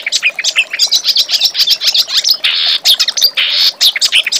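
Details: Reed warbler song meant for training magpie-robins: dense, fast chattering of high chirps interrupted by harsh buzzy rasping phrases, steady and unbroken throughout.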